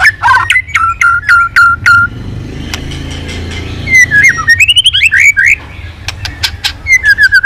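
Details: White-rumped shama returning to active song after a quiet spell: a quick series of sharp repeated chips, a pause, then rapid warbled whistled phrases sliding up and down, ending with more clicks and a falling whistle; low rumble beneath.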